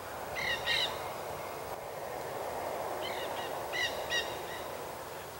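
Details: Nanday parakeets at Paramount Ranch in the Santa Monica Mountains, California, on 25 March 2021, give harsh, ringing squawks in quick pairs: two near the start and a burst of five a few seconds later, over a steady rushing background.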